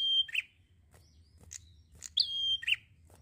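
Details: Prinia singing freely, with a phrase ending at the start and a full one later: a sharp rising note, a sustained even whistle, then a lower harsh note, with soft chips between.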